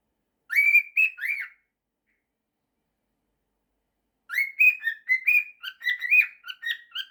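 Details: Pet male cockatiel singing a learned mashup of 'September' and 'If you're happy and you know it': three whistled notes, a pause of nearly three seconds, then a rapid run of chirpy, bending whistles about four per second.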